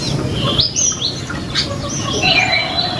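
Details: Prenjak lumut (prinia) lure song for drawing birds to answer: high thin whistled notes and short rising slurs scattered over three seconds, with a low background rumble.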